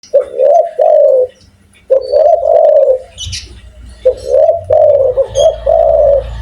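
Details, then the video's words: Loud-voiced, persistently calling spotted dove giving deep, mellow coos in two phrases, each a run of slurred notes about a second long, separated by a short pause; faint low rumble underneath. "tekukur gacor suara besar"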